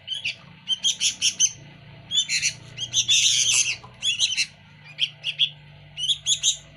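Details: Sooty-headed bulbul in energetic, noisy song: quick groups of bright chattering notes, a harsher buzzy burst in the middle, then more spaced chirp clusters over a faint low hum.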